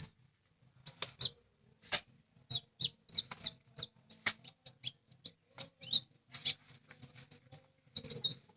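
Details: Lesser green leafbird in lively full song: a rapid stream of high, sharp chirps and short whistled notes, closely spaced and varied in pitch, with a faint low hum underneath.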